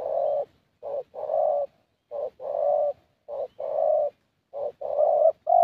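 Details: Repeated cooing from a young 'thổ' Spotted Dove during a decoy session: four low, mellow phrases, each a clipped note and a longer sustained hoot, delivered steadily about every second and a quarter.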